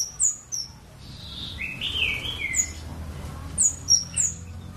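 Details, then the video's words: Scarlet-backed flowerpecker song: high, thin, sharply falling ticks open the phrase, then a lower twittering run of slurred notes, then more piercing high ticks in quick succession. "BURUNG KEMADE GACOORR suaranya indah sekali"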